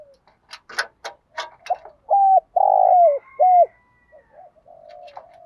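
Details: Early-morning calling of a decoy spotted dove. Several dry clicking or tapping sounds come first, followed by three loud, mellow coos, the middle one longest, then fainter trailing coo notes.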